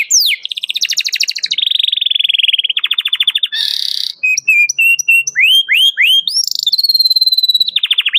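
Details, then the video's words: Excited canary calling a rival, suited for training young canaries: rapid trills, a long steady whistle, a harsh buzzy burst, then a sequence of rising hooked whistles and a sustained high note. "KENARI GACOR CUIT CUIT MEMANGGIL LAWAN BIKIN EMOSI"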